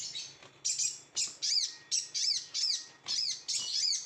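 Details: High, ringing chirped bursts from a Sooty-headed bulbul singing with great excitement, each about a third of a second long and repeated roughly twice per second in an even rhythm, with a faint low hum beneath.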